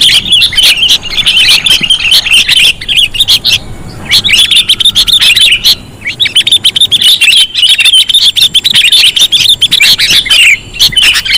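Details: Lure recording of sooty-headed bulbul: bursts of rapid, sharp chirping chatter, roughly three notes a second, in busy overlapping runs broken by two brief lulls, high and bright throughout.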